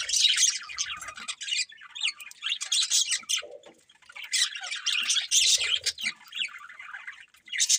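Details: Budgerigars chattering in loud raspy bursts of squawks and chirps, with short lulls between the noisy runs of rapid notes.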